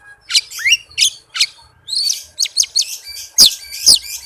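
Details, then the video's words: Oriental magpie-robin song, rapid and dense, meant to provoke silent birds into singing: buzzy, scratchy bursts mixed with rising whistles, delivered in quick succession, ending with two loud harsh crackling notes. "suara Kacer speed rapat cocok buat pancingan kacer yang susah on"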